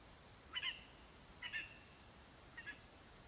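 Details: Lesser spotted eagle male at the nest with a vole, calling for his mate, Latvia, 11 September 2021: three short yelping notes about a second apart, the last quieter, over a steady background hiss.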